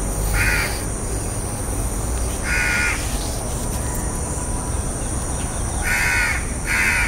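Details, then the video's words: House crow calling: four harsh, nasal caws spread through about seven seconds, with steady rumbling background noise and a constant high-pitched hum throughout. "House Crow (Corvus splendens) Sounds"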